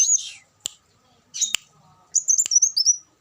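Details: Olive-backed sunbird giving short, high, sharp chirps and a brief buzzy note, then a fast run of thin twittering notes that ends in a falling whistle, with a few clicks between them.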